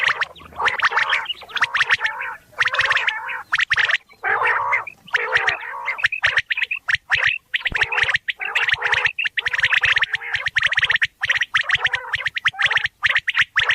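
Quail giving harsh, rasping, gargling calls in dense overlapping bursts about once a second, several birds calling together with only short pauses.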